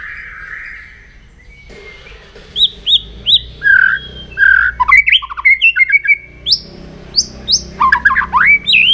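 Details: White-rumped shama singing its morning song during voice training: loud varied phrases of clear whistles, rising sweeps and sharp chattering notes, delivered in quick bursts after a short quiet opening.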